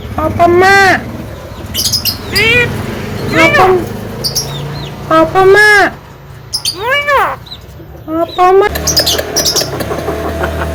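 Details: Young Javan myna, a talkative bird that can speak, utters a string of arched, nasal, voice-like calls spaced a second or two apart, with squeaks between and a low background hum.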